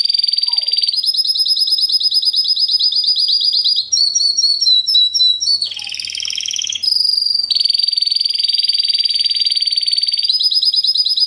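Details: Fast, strong, metallic 2013 Timbrado Español canary singing classic timbrado: long continuous metallic rolls with a brief interlude of bouncing notes and a buzzy burst midway, then a sustained steady roll.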